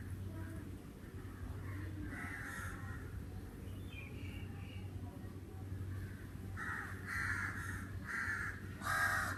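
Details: Crow in summer cawing harshly, a few quieter calls early, then a run of loud, rough caws repeated quickly toward the end, over steady low hum and faint voices.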